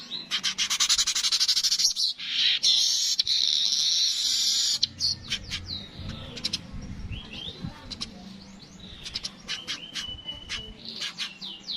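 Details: Yellow-headed weaver song for training other songbirds: a fast ticking chatter runs into extended buzzy, hissing wheezes, followed by scattered clicks and short upslurred chirps.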